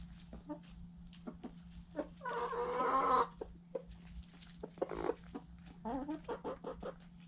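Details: Close-up white Silkie rooster giving a loud, harsh, drawn-out squawking call lasting about a second, then a run of quick clucks and a shorter rising, wavering call near the end; a steady low hum runs underneath.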